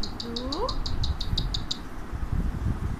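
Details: Pet Alexandrine parakeet sitting on its owner's hand, producing a short rising whistled glide alongside a run of about ten evenly spaced high ticks, low hum beneath.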